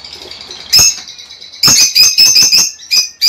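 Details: A lovebird call meant to stimulate a female to lay eggs. Soft, high chatter gives way to a quick string of loud, squawky, shrill chirps.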